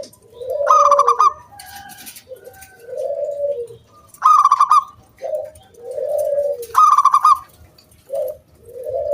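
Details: Local wild-type zebra dove singing loudly, used to lure other doves into singing; three phrases of a rapid trilled coo followed by several low, soft coo notes, repeated roughly every three seconds.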